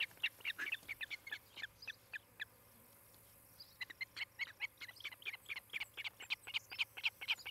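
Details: Osprey at a nest in Charlo, Montana, seen on a nest cam 18 July 2018, late morning: bursts of sharp piping chirps, a brief pause of about two seconds, then the repeated whistles resume faster and stronger, over a faint hum.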